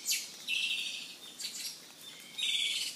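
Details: Izu thrush (Turdus celaenops), an endangered endemic of Japan's island forests, singing short, high, thin phrases: a quick downslurred note, then drawn-out buzzy trills repeated every second or so, with faint background hiss.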